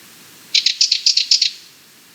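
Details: Sardinian warbler giving a fast, dry rattling call: about nine harsh clicking notes in under a second, high-pitched and evenly spaced, against quiet background.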